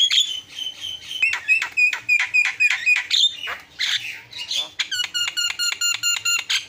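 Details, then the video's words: Javan myna in full song, a loud, varied medley of harsh squawks, clear whistled notes and rapid rattling series of evenly spaced harmonic chirps near the end, many short phrases packed together. "SUARA ISIAN..!! JALAK KEBO PALING KRENN"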